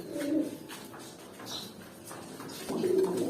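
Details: Pigeons about eight to nine months old, young adults being considered for pairing and egg laying, give low murmuring coos at the start and again near the end, with soft rustling and faint high chirps between them in a small indoor space.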